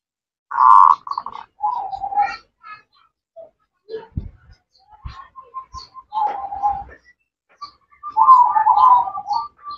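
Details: Female zebra dove calling the male, kept bird: short rolling coo bursts and a row of soft evenly spaced notes, ending in a longer trilling coo, with quiet knocks and gaps between.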